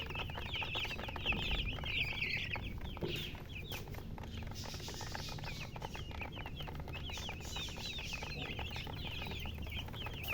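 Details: Chicken chicks chirping: a loud burst of crowded high peeps at first, then spaced, falling cheeps about twice a second from several chicks, with occasional knocks and low rumble.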